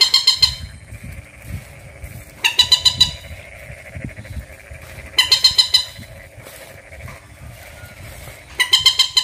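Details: Bantiung, also called mandar or peruk, calling in loud harsh bursts of four to five rapid nasal, harmonic notes, repeated about every three seconds, over a low rumble of background traffic.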